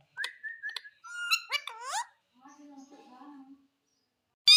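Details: Green Indian ringneck parrot uttering short whistled and speech-like syllables with rising sweeps, followed by a softer low murmuring sound and a sudden loud burst at the end.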